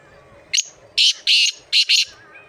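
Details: Black francolin calling in Sindh, Pakistan: a loud, harsh, rasping phrase of five notes. A short clipped note comes first, then two longer grating notes, then a quick closing pair, all sharp and strident against a quiet background.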